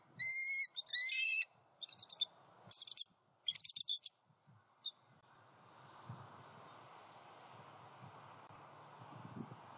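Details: Bald eagle pair at their southwest Florida nest, November 23, 2020, with the male arriving with opossum prey: loud, squealing chattered calls in quick bursts for about five seconds, then the nest goes quiet apart from faint low rustling.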